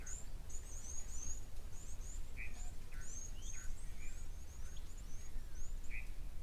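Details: At an African waterhole on the morning of 24 April 2024, Blue Waxbills very close to the camera in thickets give thin, very high tseep notes in quick scattered bursts, over a steady low rumble, with a few lower chirps from other birds.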